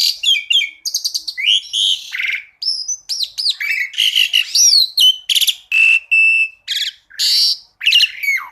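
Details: Black-collared starling song, full of varied mimicked phrases: loud whistles, sharp chips, buzzy bursts and rattles in quick succession, very clean recording with no background noise.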